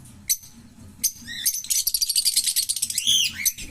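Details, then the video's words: Green Fischer's lovebird pair, chattering song: a few sharp squeaks, then a fast pulsed buzzy rattle of repeated notes for about two seconds, ending with an arched squeal. "Lovebird Singing & Chirping Sounds - Green Fischer Pair"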